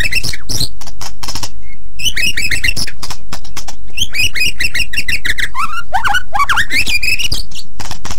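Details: Very active white-rumped shama song for training other birds: dense run of varied chirps, slurred whistles and trilled notes, with short pauses and clicking sounds throughout.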